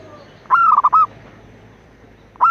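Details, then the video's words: Calling to a male, a female zebra dove gives one phrase: a sustained opening note dissolving into rapid short notes. The next phrase begins as the clip ends, over low background noise. "Perkutut Betina Memanggil Jantan"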